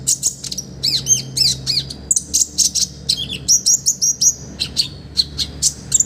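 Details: Olive-backed sunbird in lively full song, a master recording with rich fill-ins meant to train other birds: continuous sharp, high chirps, rising and falling slurred whistles and a quick run of repeated notes.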